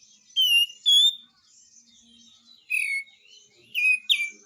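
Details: Lemon-bellied White-eye in active song: scattered clear whistled notes, some level and some falling, given in pairs separated by short silences.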